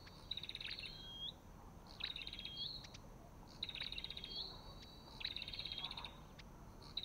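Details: Olive-backed tailorbird calling in bursts about every 1.5 seconds. Each burst is clustered high chirps ending in a smooth, upward-sliding whistle, with faint hiss behind.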